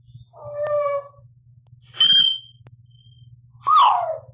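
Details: African grey parrot kept as a talkative pet, practising its new dog howl sound indoors: a wavering harmonic howl, then a sharp high whistle-like syllable, then a swooping falling wail, over constant low hum.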